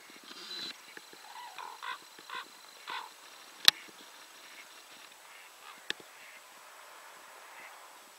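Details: Common crane (Grus grus), a single bird flying overhead at 51.881708, 20.113023, gives a quick series of distant honking trumpet flight calls in the first three seconds, then fainter calls, broken by two sharp clicks.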